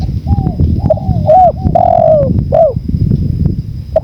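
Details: Spotted dove tutor recording mixed with natural wind sound: soft, low arching coos with a few rising hooked notes, over a heavy, continuous rumble of wind.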